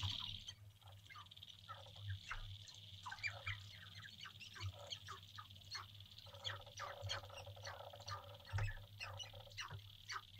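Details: Male sharp-tailed grouse courting on a lek in central North Dakota in April 2021, a few minutes before sunrise, heard from a blind: many overlapping clucks, short yelps and cooing notes in a busy chorus over a steady high thin tone and low rumble.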